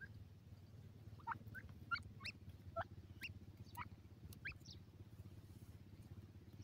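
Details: Black francolin chicks in the wild feeding on green grass; short thin rising peeps scattered irregularly over a steady low rumble.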